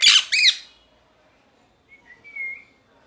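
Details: Indoor pet parrot calling angrily: two loud, harsh squawks in rapid succession, then a pause and a quiet, wavering whistle.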